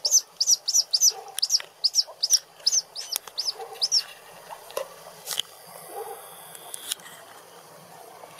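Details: Eurasian sparrowhawk in a garden giving a quick series of sharp, arched, high notes, about three a second, that stops after four seconds; faint clucking in the background.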